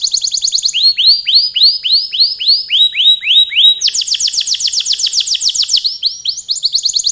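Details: A vigorously singing gacor canary, its long song changing nonstop: a quick trill, a series of slower upswept notes, then a higher rapid rolling trill and further fast phrases.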